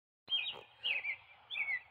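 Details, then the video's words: An American robin in Michigan, heard loudly from inside a house, sings three short, warbled, caroling phrases, each about a third of a second long and spaced roughly every 0.6 seconds, over faint background noise. "red robin singing"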